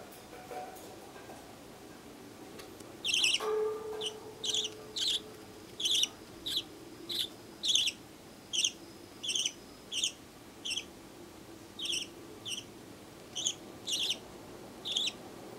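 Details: A baby budgerigar about one month old, born 18 September, gives short, scratchy chirps, repeated steadily about once every second.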